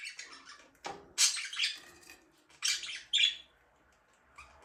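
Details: Pet budgie giving quick scratchy chirps and warbled chatter, a few loud bursts about every second, with soft rustling noise between.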